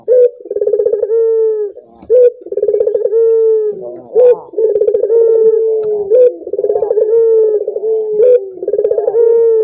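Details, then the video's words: Collared dove coos for prompting other doves to call: steady low throbbing phrases ending in long sliding tones, repeated about every two seconds, roughly five times, in a quiet setting. "Suara burung puter ini membuat puter anda ikut gacor"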